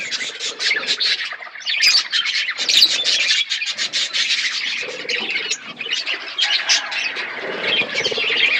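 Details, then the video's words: Budgies in a forest aviary squawk and chatter nonstop. Grating, scratchy notes mix with high whistled chirps from many birds, and the din is busy and unbroken. "Budgies in forest environment aviary birds chirping sound"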